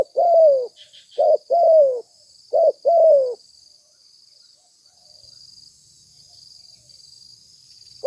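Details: Spotted dove calling for luring birds: three cooing phrases of brief notes and a trailing downward coo, then quiet with only a high steady insect drone.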